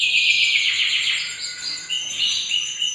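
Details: Canary singing a sustained high, rolling trill that shifts to steady, pure whistled notes and rapid tremolos over a noisy background.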